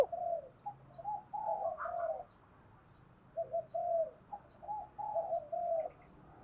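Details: Decoy spotted dove with a 'thổ đồng' voice, calling to lure wild doves. Fairly faint, husky coo phrases repeat several times over steady background hiss, with faint high chirps scattered throughout.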